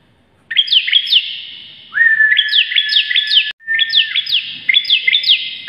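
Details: Ciblek, the bar-winged prinia, singing energetically: steady buzzy tone overlaid with quick stepped upslurs and sharp downward flicks, phrases broken by short gaps, a brief pause midway, loud and near with little background.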